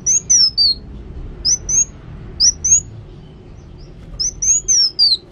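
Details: ['Kolibri wulung sunbird singing actively, with clear high whistled phrases of two to four slurred notes. The phrases are separated by gaps of about a second, and the last one ends in a falling slide.']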